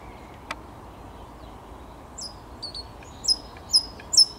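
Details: Thrush nightingale, 10 May 2021: after a single click and near silence, faint then louder high sliding whistles repeat roughly every half second.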